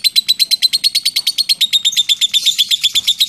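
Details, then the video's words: Lovebird delivering the long 'ngekek' trill, 'ngetik' style, as rapid ticking notes around a clear high tone, repeated quickly and evenly, growing slightly harsher and busier near the end, with one faint low thump. "LOVE BIRD NGETIK NGEKEK PANJANG"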